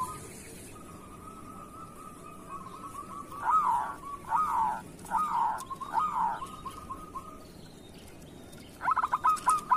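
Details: Local zebra dove, kerot song, meant to train and stimulate other doves: a long thin trill carrying four rough, swelling coos about a second apart, then a closing stuttered burst.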